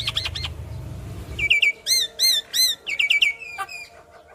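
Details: Yellow-eyed Javan myna belting out its song while nodding, used to get other Javan mynas singing. Clear ringing whistles arch up and down in quick groups of two to four, over a brief low rumble at the start.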